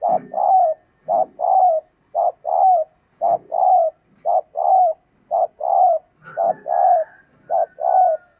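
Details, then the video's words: Continuous cooing by a female spotted dove to stimulate males, steady pairs and triplets of mellow hoots and longer coos repeating without pause, with a faint thin whistle near the end. "Tiếng Chim Cu Mái Kích Trống"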